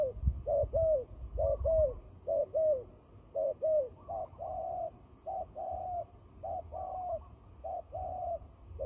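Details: Fighting turtle dove calling for trapping: short hollow coos in twos and threes, some falling and some level, repeated steadily, with faint low thuds at the start.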